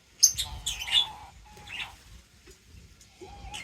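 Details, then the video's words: Feeding birds give a few sharp, high chirps in the first second, then scattered softer twitters and a thin mid-pitched whistle against a quiet background. "Crazy Birds Feeding Reaction : Birds Chirping Sounds"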